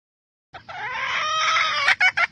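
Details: Wild hen of the Red junglefowl in Vietnam calling to stimulate males: a long, rasping, harmonic wail ending in three short, clipped syllables.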